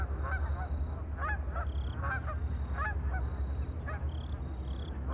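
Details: Ducks on a lake give nasal, honking quacks in short bursts, several every second or so, over a steady low rumble of wind or water and faint high chirps.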